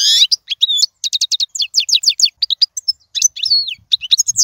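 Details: European goldfinch in royal-style song, played for tutoring young birds: fast liquid twittering with buzzy notes and a sliding whistle, tight bursts of repeated high chirps running almost without pause.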